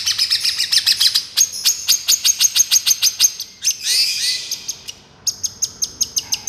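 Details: Long-tailed shrike song for therapy training, mp3 used as a lure: rapid series of sharp high chirps repeated about three per second, broken by a brief harsher buzzy phrase, then the chirping resumes.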